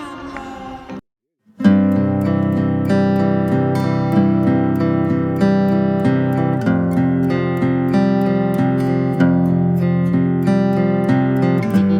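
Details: Strummed acoustic guitar music plays steadily after a brief silence near the start, with no animal sounds.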